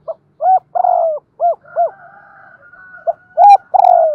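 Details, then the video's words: Morning cooing of a spotted dove kept as a decoy for luring wild birds; rapid arched coos and a rolled note, with a faint steady tone running under the middle, otherwise a quiet background. "Tiếng Chim Cu Mồi gáy gọi buổi sáng bổi nghe nhạy gáy"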